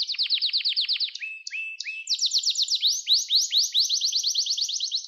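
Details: Training song from a canary meant to teach young birds: quick repeated falling notes, a brief pause of short tones, then long runs of rising, rolling whistled syllables delivered fast and evenly, loud and clear.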